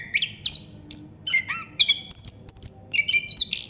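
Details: Chestnut-capped thrush in continuous ngerol song: clear, high whistled notes, some rising and some sliding down, mixed with short buzzy chirps, about two to three notes each second with brief gaps.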